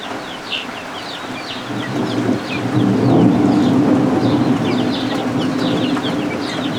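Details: Guinea fowl keets just hatched, kept warm under a heat lamp during a thunderstorm: a scatter of high, brief chirping peeps over a rising low rumble of thunder and steady rain.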